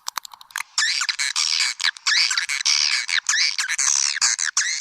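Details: Calls used to attract swiftlets: a burst of quick clicks opening into dense, harsh chittering and buzzy twittering phrases, loud and nearly continuous, with sweeping notes repeated in fast succession.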